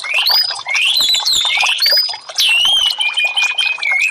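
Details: Orange-headed thrush song for silent-bird therapy: clear, sweet whistles sliding up and down, loud and mellow, interleaved with quick chatter and a strong rising whistle near two and a half seconds.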